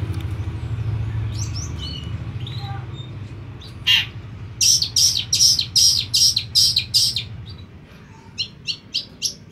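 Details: Long-tailed shrike, a semi black-headed form: a few faint chirps over low hum, then a fast burst of about eight harsh, rasping, evenly spaced notes, followed by shorter, quieter clipped notes.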